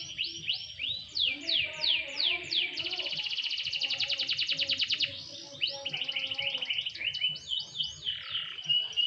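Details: Canary out for a light sunbath, singing descending whistled slides, then a long rapid buzzy trill of around two seconds, followed by clipped chirps and looping whistled notes.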